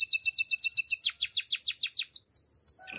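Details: Russian canary song made of quick, ringing repeated notes, roughly eight per second, shifting partway through into a slightly different run of sharp, bright chirps.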